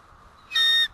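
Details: One abrupt, bright bald eagle alert note at the White Rock nest on 1 April 2012 around 10:06 am, when the male arrives back: a short, loud, rich whistled tone of about a third of a second that cuts off sharply.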